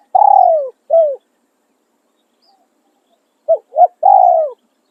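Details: Spotted dove used as a decoy for luring, giving 'khan riak' calling coos and 'khan yon' coos: a long, low, falling purred coo and a short coo, a pause, then two clipped notes and another long descending coo. Background is silent.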